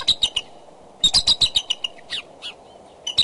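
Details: At the Decorah nest on a February 2012 morning, bald eagles in serious courtship call from branches; quick high piping notes run in a fast stuttering string, then fade into a few scattered chirps.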